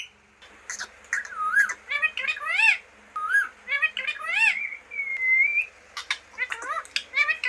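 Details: Pet green parrot talking, a rapid run of harmonic, speech-like syllables and squawky whistles that rise and fall, with one smooth drawn-out whistle midway, in short bursts separated by brief pauses, with a faint low hum.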